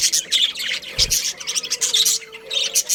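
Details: Chattering budgerigars of a breeding pair, with bursts of scratchy high chirps separated by short gaps, a soft thump near the start, and a faint low tone in the background.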